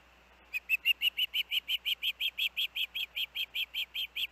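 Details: At the Hellgate osprey nest, 23 August 2024, with the juvenile siblings together: after half a second of quiet, about twenty loud whistled chirps follow in rapid steady succession, each slightly downslurred.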